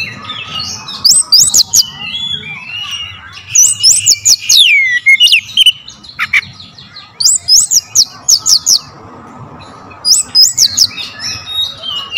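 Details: Lure song of an oriental magpie-robin, clear and sharp: repeated bursts of high looping whistles and quick chirps, separated by short pauses, with faint background hiss.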